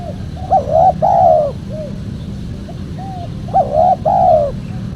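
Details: Spotted dove cooing, a recording used as a caller to lure wild doves for trapping and for training cage birds: two loud, husky, rising-then-falling coo phrases about three seconds apart, softer single coos between, over a steady low rumble.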